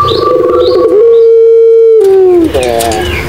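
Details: Barbary dove coo, Madura pelung style, as a lure for doves that stopped calling: a throaty rolling start, then one long even tone held about a second before falling away.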